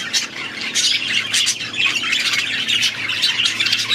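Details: Budgerigars chatter in an aviary, a loud, continuous jumble of harsh squawks and twittering warbles from many birds, over a faint hum.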